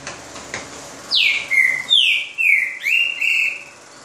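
Green-winged saltator singing a loud, clear whistled phrase of about five notes, each sliding down then levelling, delivered over two and a half seconds.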